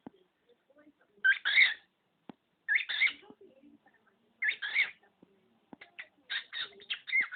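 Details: Pet male budgerigar imitating words learned from its owners and a sneeze: gravelly, chattering speech-like phrases repeated at uneven intervals, ending in a rapid run of scratchy syllables, with soft clicks between.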